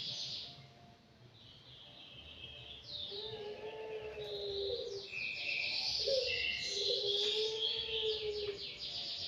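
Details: A five-month-old anggungan in an aviary delivers varied high whistles and chatter alongside lower drawn-out tones, building louder and busier through the second half.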